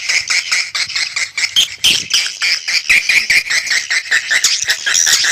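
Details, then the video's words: Lure recording of calling swiftlets: shrill, overlapping chirps and squeaky twitters crowd together in a busy, high-pitched flock chatter with short, thin whistled notes. "SUARA PANGGIL BURUNG WALET"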